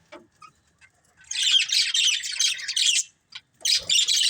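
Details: After a few soft isolated peeps, budgies burst into about two seconds of loud, dense, scratchy chatter, a brief pause, then more chattering.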